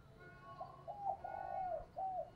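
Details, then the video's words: Spotted dove used as a lure bird, cooing to draw wild doves: a soft low phrase of short hoots, a long downward-sliding coo and a closing note, over steady background hiss and hum. "Tiếng Chim Cu Mồi Thúc Gù gáy gọi dùng tập mồi kích bổi"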